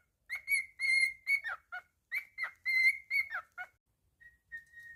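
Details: Pet cockatiel whistled song: a phrase of bright tonal notes with a sustained middle whistle and falling slurred endings, sung twice, then soft faint whistles trailing off.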